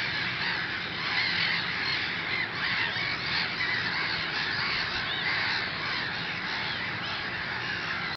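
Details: A dense din from a Mediterranean gull (Ichthyaetus melanocephalus) breeding colony: many overlapping nasal, rising-falling 'kyow' calls with no pauses, blending into a constant wash of sound.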